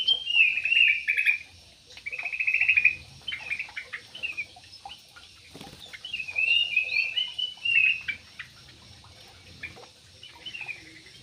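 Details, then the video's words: Big parakeets in an aviary squawking in rough, grating phrases of one to two seconds, several bursts spread through the recording with softer chatter between. "PARKIT JUMBO"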